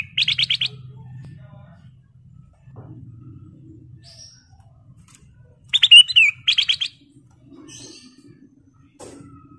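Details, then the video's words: Sooty-headed bulbul song, used as a lure to provoke other birds: a quick series of pulsed notes, a long pause, then a whistled phrase with a downward slur and another rapid pulsed run; low hum in the background. "KUTILANG EMAS SUARA ASLI KRISTAL BENING GACOR FULL ISIAN"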